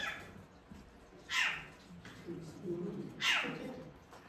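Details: Short-eared Owl recording played at an indoor owl talk in Iowa, USA: two harsh, raspy, downward-slurred barks about two seconds apart, almost cat-like, over soft room murmur; a ground-nesting grassland species endangered in Iowa.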